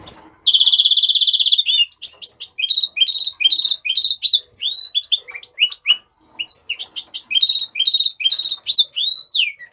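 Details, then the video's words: House finch (Mexican rosefinch) giving its original song: a long rapid buzzy trill, then a lively run of short high chirps and slurred whistled notes, repeated in bouncy groups with a brief pause partway. "تغريد طائر الروزلان المكسيكي (تغريد أصلي)"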